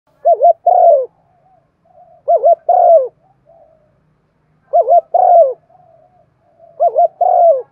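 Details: Spotted dove in the Thổ-voice style giving its calling coo, used as a lure to stir up birds: four phrases about every two and a half seconds, each a quick wavering double coo then a longer, lower, falling coo. Faint softer notes between.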